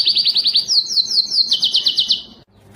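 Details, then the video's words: Canary song meant to stimulate males to sing: quick repeated chirping notes in rolling rhythmic trills that rise slightly, then fade into quiet. "صوت كناري مميز لتحفيز الذكر على التغريد"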